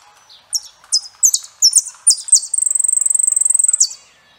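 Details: A Saffron finch sings a few sharp, high chipping phrases, then a fast even trill of about a second, ending on one more bright note.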